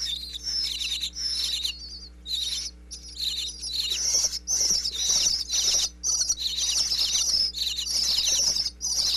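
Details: Baby bluebird nestlings chirping inside a birdhouse in Pennsylvania as parents arrive with food, recorded close up by a wireless microphone through a crack in the box; dense, high, scratchy chirps in overlapping bursts, steady low electrical hum beneath.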